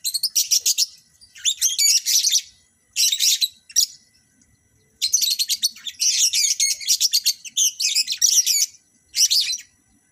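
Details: Lovebirds kept for breeding, being paired for mating: bursts of rapid, high, scratchy chattering and squeaky chirps in clusters, with short pauses between.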